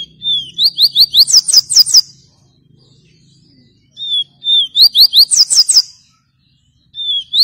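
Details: Double-collared seedeater singing the tui tui viviti song style: a high whistled phrase of quick repeated notes that climb into a buzzy, rapid trill, given twice with a pause between, and beginning again at the end; a faint low hum lies underneath.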